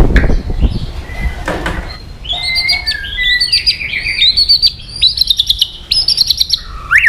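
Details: White-rumped shama, song to provoke aggression: low knocks and rustles at first, then a high, fluid warble of whistled phrases and quick repeated chips.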